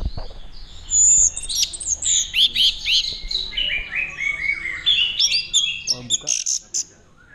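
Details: Orange-headed thrush from Mojokerto, Indonesia, in 'teler' song tied to courtship: a long continuous tumble of high slurred notes, twitters and descending phrases, with faint background voices.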